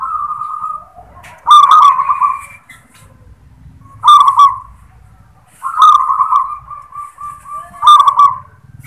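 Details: Zebra dove of local stock singing the "klar ketek kuk" song: sharp clicks leading into rippling, trilled coos, repeated four times, one phrase longer and drawn out.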